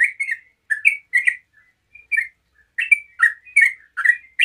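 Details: Relaxed 'ropel' singing by a yellow-vented bulbul, used as a lure to make other bulbuls sing: clusters of lively warbled chirps separated by short pauses, with a soft faint note in between.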